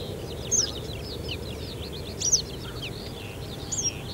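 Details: Western yellow wagtail (Motacilla flava) in May 2021 near Denisovo, Pronsky District, Ryazan Oblast, Russia, giving three thin, high, slurred calls about 1.5 seconds apart over faint twittering of other birds and a low rumble.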